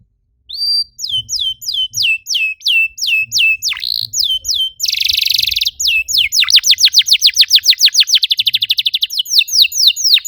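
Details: Canary song used to encourage other canaries to sing: evenly spaced flat whistled notes with drooping ends, a harsh buzzy burst, then a long accelerating series of steep downsweeping whistles.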